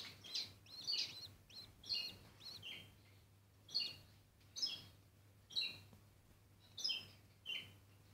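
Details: Bourke's parrot mother feeding a chick: rapid series of shrill, squeaky high chirps repeated several times a second in bursts, with a faint low background hum.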